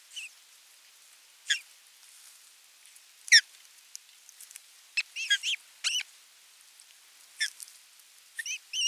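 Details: Osprey at a nest on 27 June 2022 during fish delivery and feeding. Irregular, sharp, high whistles, some doubled and slurred, separated by quiet gaps.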